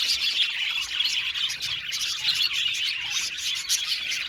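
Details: Budgerigars in an aviary colony chirping together: a dense, continuous wash of overlapping high chirps, warbles and squeaks with no pauses.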